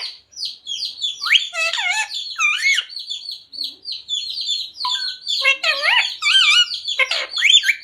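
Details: A talking green ring-necked parrot kept as a pet, saying the Hindi phrases Radhe Radhe and Sita Ram. Its voice runs as a continuous stream of nasal, speech-like syllables with wavering pitch, broken by thin high chirps and short squawks.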